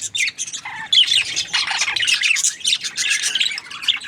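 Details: Chirping budgerigars in a busy chorus of harsh, high squeaks and twitters, rising to a louder, fuller burst after the first second and staying densely packed to the end.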